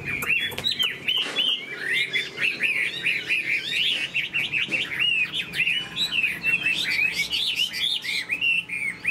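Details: Chinese hwamei singing in a cage, loud continuous warbling made of repeated slurred whistles that dip and rise, energetic and unbroken, with a soft background hum.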